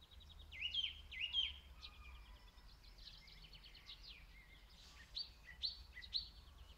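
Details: Song thrush singing in Zala county, Hungary, recorded from some distance on a mobile phone: clear whistled phrases, some doubled, in bursts around the first two seconds and again near the end, with quieter chirps between and a low rumble beneath.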